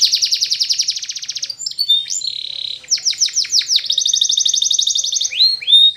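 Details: Spanish Timbrado canary singing a training song: a rapid rattling trill, short rising slides, chopped falling notes, then a long steady buzzy roll and a final bright upward whistle.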